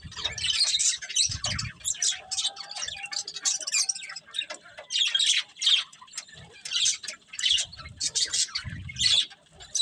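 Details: Budgies of a breeding pair chirp in scattered scratchy bursts over a longer stretch, mixed with clicks and low thumps, the chatter rising and falling in loudness.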